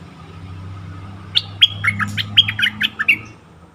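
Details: Stripe-throated Bulbul kept as a caged decoy to lure wild birds in forest, 2021: after a quiet start, a quick run of liquid, chirpy warbled notes rising and falling, with a low hum underneath.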